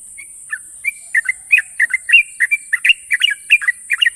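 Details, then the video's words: Sooty-headed bulbul, national champion, starts with a few spaced chirps then speeds into dense sharp trilling bursts, about two to three notes a second, over a continuous high hiss. "burung trucukan juara nasional ropel panjang dan tajam"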